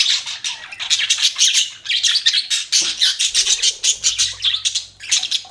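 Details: Rhythmic bursts of chirping from pet budgerigars, scratchy notes pulsing several times a second in a lively, steady chatter.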